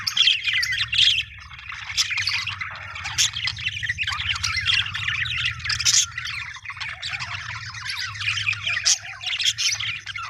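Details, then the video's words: Budgerigar chirping in a happy mood, long run of rapid high twitters, sharp squeaks and harsher squawk notes, with a steady low hum underneath. "happy budgie chirping sound"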